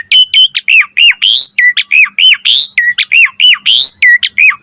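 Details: Asian pied starling training song of loud hooked whistles repeated about once a second, alternating with rising harsh squawks.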